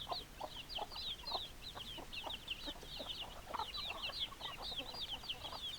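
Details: Hens and roosters of a chicken flock keep up a busy stream of quick squeaky clucks, overlapping and rising and falling in steady chatter, punctuated by a few louder lower-pitched notes.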